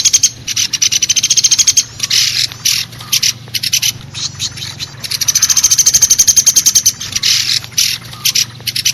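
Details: Lure sound of a common flameback used to attract woodpeckers, with bursts of rapid, high, metallic notes in short choppy groups and two longer even rattles of quick repeated notes.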